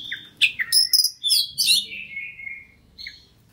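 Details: Lure song of a fighter-type Oriental magpie-robin, used to stir kacer into singing their full repertoire: a few sharp chips, then bright rising whistles and a long falling slurred note, over a faint low hum.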